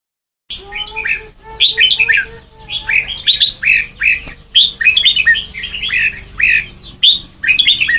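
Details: Red-whiskered bulbul (white-cheeked) singing during training toward the Sông Kon song style: bright, chirpy warbled phrases with quick rising and falling notes in rapid bursts, over a faint steady low hum.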